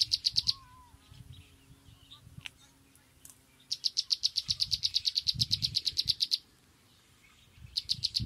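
A sunbird gives fast bursts of thin, high, metallic chips, about ten a second, with quiet gaps between; a soft low rumble sits underneath.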